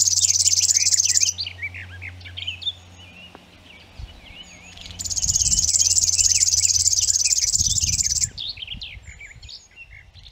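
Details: River warbler at Zvārde delivering a steady, insect-like pulsed buzz in two bouts. Other birds fill the gaps with varied chirps and whistles, and faint rural background noise is audible.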